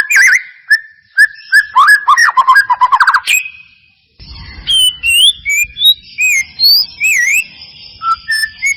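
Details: Lure song of a white-rumped shama meant to make a quiet bird sing: a fast burst of rapid trilled notes, a short gap, then separate clear whistles of changing pitch, some looping up and down.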